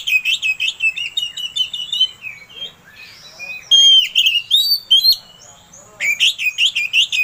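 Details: Oriental magpie-robin singing as a provocation to another bird: steady rapid chirping phrases, a brief quieter stretch, a loud pure whistle, then another fast burst of repeated notes.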